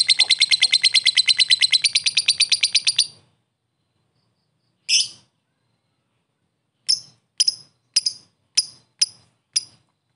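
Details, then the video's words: Lovebird ngekek and ngetik lure for fighter lovebirds; about three seconds of rapid shrill chatter, a long silence, one harsh note, then sparse, separate high ticks. "lovebird ngetik ngekek pancingan ampuh Lovebird fighter"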